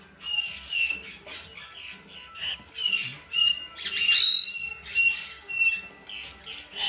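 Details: Young female blue-eyed cockatoo, hand-fed three times daily and bred domestically: repeated grating, hissy squawks in uneven pulses, some with a thin tonal edge, accompanied by faint music.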